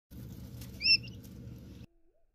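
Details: A Coturnix quail chick only hours old gives one brief, high, slightly rising chirp, slowed down, over a steady low rumble.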